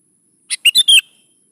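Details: A single brisk sooty-headed bulbul phrase, used to coax young bulbuls into answering: one short chip then three loud, clear whistles sliding downward, all within half a second.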